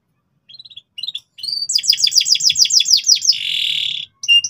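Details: Canary in full, insistent song meant as a model for young canaries learning ngeriwik. A few soft chirps lead into a quick series of falling sweeps, then a sustained buzzy trill and one last short note.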